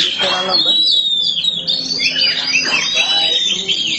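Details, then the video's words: Black Oriental magpie-robin singing a busy, high-pitched medley of whistles and squeaky slides, with a person's voice faintly beneath the song. "Kacer hitam gak pernah malu untuk gacor nie"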